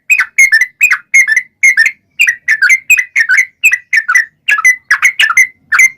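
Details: Gacor song of a Yellow-vented Bulbul (trucukan), played to make other trucukan reply: paired liquid whistles, each pair slurring downward, repeated briskly and evenly for six seconds with no other sounds.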